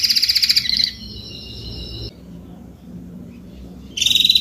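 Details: Spanish Timbrado canary, adult, singing in short bursts: a quick chattering trill, a sustained flat tone, a quiet gap with low background hum, then a renewed rapid trill.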